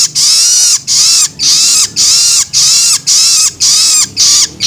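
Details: Juvenile long-tailed shrike begging to stimulate adult birds: evenly spaced, rasping broadband screeches, each about half a second, repeated close to twice per second with a slight downward sweep.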